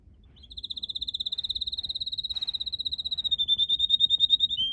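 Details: Red canary in a garden with purple azaleas delivering a long, high, rapid rolling trill that swells in loudness and dips slightly in pitch at the end.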